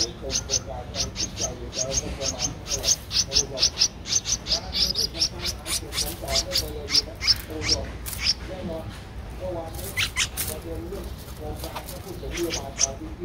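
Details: Thirteen-day-old Streak-eared Bulbul nestling at Ubon Ratchathani, Thailand, 15 April 2023: a long run of short, high chirps repeated rapidly, some faster bursts, over low background murmur and a few voice-like sounds.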